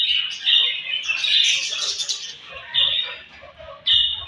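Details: Budgerigars at morning feeding time making a warbling chatter of chirps and squawks, with short loud phrases near the start and end.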